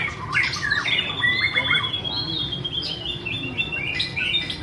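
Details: White-rumped shama (Copsychus malabaricus) singing and dancing: a burst of harsh, squawky chatter followed by a long, even whistle and scattered short chirps, with a steady low hum.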